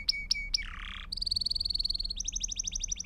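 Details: Belgian canary singing in a session for training young birds: three sharp chirps, a short buzzy burst, then long, even trills of rapidly repeated notes that step higher at the end.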